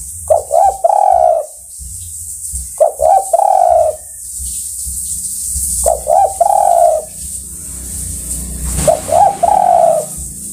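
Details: Spotted dove calling its fellows with four coo phrases spaced roughly three seconds apart. Each phrase has two or three quick rising notes leading into a sustained, slightly wavering coo, over low background hum.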